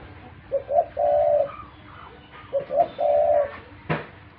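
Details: Low, mellow cooing from a pet dove: two phrases of a short note rising into a longer level coo, ending with a sharp click.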